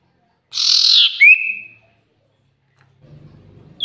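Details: Very vocal common iora (cipoh), recorded as a lure: a single burst of rasping, buzzy noise runs straight into a clear whistle that rises and then holds steady. Silence follows, with faint low rustling near the end.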